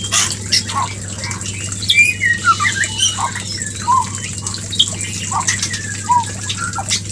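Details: White-rumped shama mating song used as a lure: scattered whistled and squeaky notes, some slurred downward, with clicks and a low steady hum.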